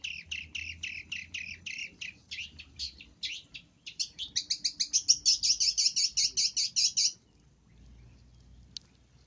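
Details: Long-tailed shrike calling for use as a lure: a rapid, rasping chatter that speeds up and grows louder into a dense buzzing trill, then stops abruptly.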